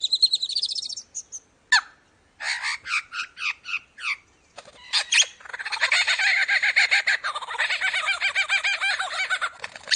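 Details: Lyrebird, a bird described as copying surrounding sounds and noises, giving a varied run: a high wavering warble, then sharp clicks and chirps, a short pause, and a long dense buzzy rattling trill.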